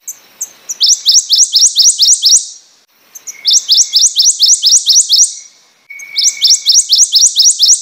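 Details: Three bursts of prothonotary warbler song, each a clear, evenly paced series of loud rising sweet notes lasting about two seconds, separated by short quiet gaps with a faint thin whistle between.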